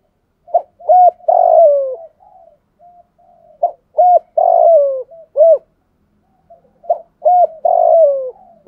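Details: Spotted dove giving the thúc gù style of calling coos; three phrases of short hollow low coos, each ending in a longer drawn-out falling note, repeated roughly every three seconds in a clean, quiet setting.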